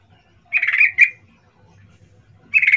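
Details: Sooty-headed bulbul lure call used to provoke a response from other bulbuls: two short bursts of harsh, chattering notes, then a third burst begins near the end.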